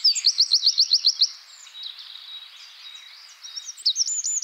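Eurasian wren bursting into a loud, very high trill of quick repeated notes, then fainter twitters from other birds before another sharp high phrase.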